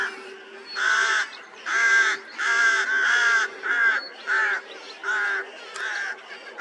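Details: Rooks with chicks in the nest, recorded 16 May 2023 after a cold spring: a steady run of about eight loud, hoarse, rasping caws, nearly one every second, each short and grating with rich overtones, faint rasps between.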